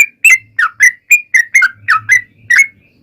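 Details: Yellow-vented bulbul lure song, meant to make other bulbuls reply: uneven, rapid whistled notes that rise and fall, some paired, over a soft low rumble.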